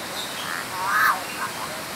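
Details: A pair of yellow-faced mynas (Mino dumontii): the male gives a loud, short, croaky, frog-like call, stretching his head, and the female follows with fainter, softer answering notes.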